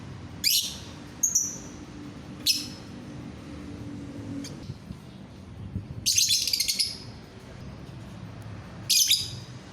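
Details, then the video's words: A lovebird gives calls that prompt other lovebirds to join in. Loud harsh, raspy, high chirps come in irregular bursts, including a longer rattling chatter near the middle, with thin ticks and pauses between them. "DENGAR SESAAT SAJA, bikin lovebird yang lain ikut bunyi"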